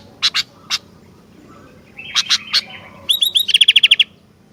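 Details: Sooty-headed bulbul singing vigorously: a few sharp ticks, short buzzy phrases, then a rapid cascade of about ten bright, ringing hooked notes.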